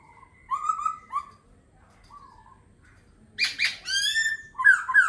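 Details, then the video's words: Laughingthrush singing: mellow low whistled notes under a thin steady tone, then a loud, complex burst of rising and falling whistles. "Khướu hót hay."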